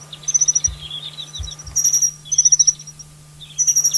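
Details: High-mountain Alpine accentor, Taiwan's endemic subspecies, at Hehuanshan among rocks: quiet bursts of short, high, rattling trills repeated about every second, with a few soft low thuds underneath.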